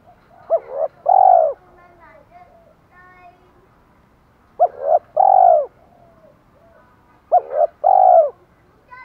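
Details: Spotted dove giving challenge calls and calls to hens: three phrases spaced about three seconds apart, each a short coo then a longer arched coo, with faint softer coos between.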